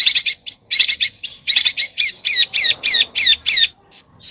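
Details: Besetan song from a bird: a fast run of sharp, high notes, roughly three per second, shifting into repeated downward-sweeping whistled slurs before a short pause and a faint final note.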